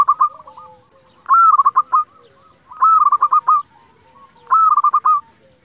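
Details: Local zebra dove singing as a lure to provoke other zebra doves into song: a loud phrase of a short rising coo and then rapid stuttering notes, repeated about every 1.6 seconds, with softer cooing between phrases.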